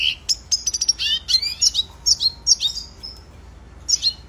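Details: Red siskin, called cardenalito in Venezuela, giving training song: rapid high chirps and short twittering bursts, a brief pause, then a final pair of sharp notes.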